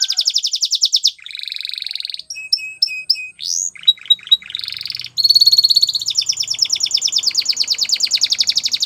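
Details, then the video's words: Spanish Timbrado canary training song of fast pulsed trills, a low buzzy roll, spaced ringing paired notes, upward slurs and a long bright rapid trill. "Spanish Timbrado Canary | Canary Training Song"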